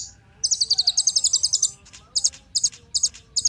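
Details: A kolibri ninja sunbird sings a song meant to stimulate other birds. A rapid high trill lasts over a second and is followed by a series of short, separate doubled chirps at a fast pace.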